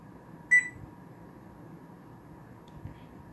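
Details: Pet female bird indoors imitating the sound of a cell phone being turned off, like her usual beeping but with a little down beat: a single short, bright electronic-style beep with ringing overtones, then a quiet room hum.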